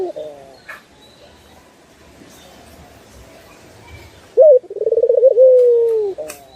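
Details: Barbary dove cooing used as a master recording for training birds: after about four seconds of faint hiss and background noise, one low phrase of short upslurred note, quick rolling pulses and a long descending hum.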